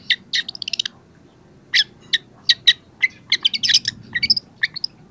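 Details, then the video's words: Young long-tailed shrike singing vigorously while its repertoire begins to emerge, recorded to coax quiet shrikes into song: a fast stutter of high notes, then spaced chips and a busy tangle of varied chirps and twitters. "cendet muda sudah gacor pancingan cendet malas bunyi"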